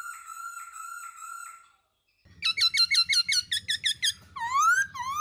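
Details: Female black-throated laughingthrush rolling 'ro ro' call with a male: a smooth buzzy tone pulsing for under two seconds, a brief gap, then a fast burst of sharp ringing notes and loud rising whistles.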